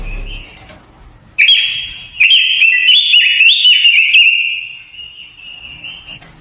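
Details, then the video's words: Lure song of a Japanese white-eye, played to rouse birds and coach their voice: after a soft opening note, an unbroken high, rippling warble of quick trilled phrases runs for several seconds before easing into a steady thin tone. "Tiếng chim quế lâm mồi kích bổi . Luyện giọng quế lâm hót hay"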